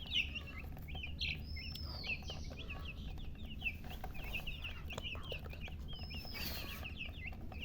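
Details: Crowd of baby chicks calling: rapid overlapping high chirps falling in pitch, a couple of longer whistled notes, steady hum behind.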